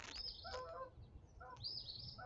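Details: Canada geese near a river on a May 3 morning give two loud, nasal honking bursts about a second apart, over a low background rumble and a thin, high bird note; they are very loud and always noticed when in the area.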